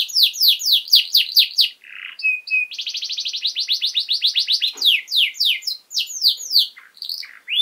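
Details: Canary singing as a master song for young birds: repeated descending sweeps, a brief buzzy note and whistles, a long fast trill, then varied swooping phrases with short gaps.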